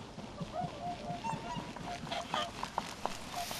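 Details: Swan flock of about sixty birds resting in a rice field near the coast of Japan in early January 2011, giving scattered honking calls over faint background noise.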